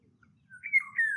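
Indian Golden Oriole giving a brief, liquid fluty phrase that rises and then slurs downward, two mellow whistled notes within about half a second.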